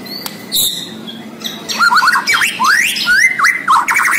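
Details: Borneo white-rumped shama in vigorous song: after a few high squeaky notes, a rapid run of rising and falling whistles, upward sweeps, V-shaped slurs and a level held note, delivered loud and fast.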